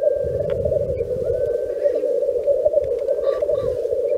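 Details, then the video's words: Black grouse lekking (mating display) in Teesdale, North Pennines, UK: a steady, low, dove-like bubbling drone runs unbroken throughout, with a brief sneezing hiss and faint distant whistles. "Black Grouse 'lekking'"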